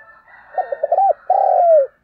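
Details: Spotted dove used as a decoy to stimulate other birds; a short run of low hooting coos at one pitch, then a longer drawn-out coo that slides slightly downward, over a faint steady high tone.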